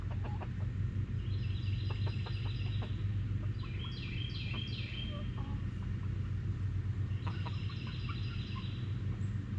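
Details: Chickens being given grass clippings cluck and chatter in short repeated bursts, with higher squeaky notes mixed in, over a steady low hum like an engine or machinery.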